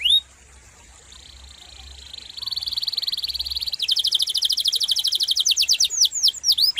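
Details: Gacor canary with a long, melodious, sharp rolling song: after a quiet start, a high buzzy trill swells, then switches to rapid pulsed notes and ends with quick upward-curving whistles.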